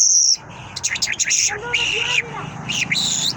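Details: Singing Mashhadi lark gives a loud high whistle, then a jumble of chirps, fluttering trills and downslurred notes packed close together, with soft background murmur.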